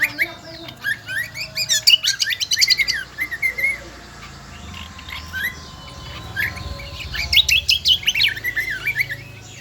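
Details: Lombok-endemic kecial kombo in full shrill song: dense bursts of rapid, scratchy high chattering and twittering notes, a quieter stretch of softer warbles, then another fast chattering burst.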